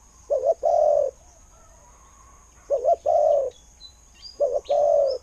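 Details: Spotted dove used for decoying, with a voice described as good, calling three times: a brief two-note stutter then a sustained soft coo, phrases spaced around two seconds, with a faint high chirp between.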